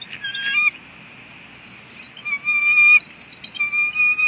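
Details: Female bald eagle at a Two Harbors nest on 23 May 2020, vocalizing at her mate until he leaves: thin, high whistled notes with sharp overtones, a brief squeal, then a pause and longer drawn-out whistles.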